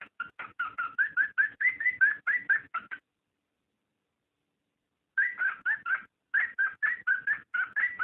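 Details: Cockatiel breeding call intended to stimulate mating: two long bursts of rhythmic, rising whistled chirps, roughly two per second, split by a two-second silence.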